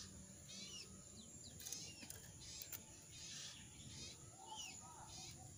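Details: Jongkangan bird in moult, shedding feathers, its voice hoarse and unable to sing fully; short faint downward-sweeping and curling high notes in spaced bursts, with soft rustling and steady background hiss.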